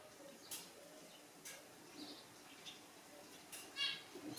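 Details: Western jackdaws, a family foraging in a garden in Groningen, Netherlands, on 29 June 2021. Short, sharp, clipped calls sound faintly about once a second over a quiet background.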